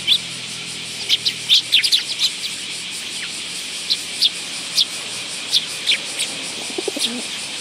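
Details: Willow tits visiting a feeding spot on a bench at a Tenmangu shrine, 10 August 2022; short high chips come in loose bursts, several quick notes early, then spaced single chips, with a faint low murmur near the end.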